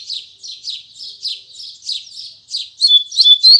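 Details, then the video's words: In the Tui Tui Zel Zel song style, a double-collared seedeater sings in the morning. About eight evenly spaced buzzy notes lead into clearer, piercing whistled slurs. "Coleiro Braddock Abrindo Canto Tui Tui Zel Zel Firme Pela Manhã"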